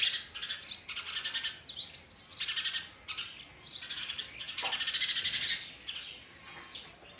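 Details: Sparrow chicks being fed oversized food by a parent: dense, high, scratchy chirping in bursts of rapid notes, some thin descending whistles, loud stretches broken by short quieter gaps.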